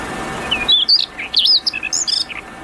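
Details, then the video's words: Wild prinia producing a varied string of high, clear whistles and wavering chirps after a brief burst of broad noise. "kicauan burung berkecet di alam bebas"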